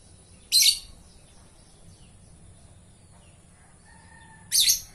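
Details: Lovebird in full voice, letting out two piercing, raspy shrieks about four seconds apart, with faint soft whistled notes between them and a low background hum.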